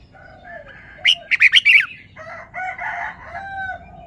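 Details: Red-whiskered bulbul kept as a cage bird, performing its song phrases: steady whistled tones, then a quick burst of sharp, bright notes, followed by a fuller warbled phrase with clear harmonics.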